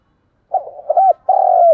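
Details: To coax caged wild-caught and decoy birds to call in rainy, windy conditions, a spotted dove gives a quiet stuttering coo, a rounded hooting note, then a long steady coo that drops slightly.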